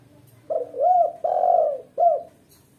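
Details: Training and lure recording of a female spotted dove: single mellow phrase opening with a wavering two-note coo, swelling into a long steady coo and ending with one brief coo, over a quiet background.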